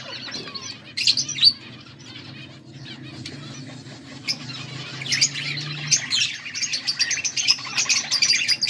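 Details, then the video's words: Budgies chirping, dated August 14, 2024: dense high chattering and warbling chirps from several birds, quiet for the first seconds, then swelling into continuous busy twittering over a low steady hum. "Budgies sounds for lonely birds birds chirping sounds"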